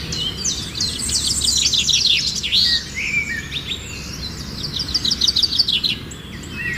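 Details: Finch chicks during feeding, a busy burst of high, sharp chirps and squeaky twitters packed closely together, easing off midway, then a fast repeated chattering series near the end, over steady low rumble.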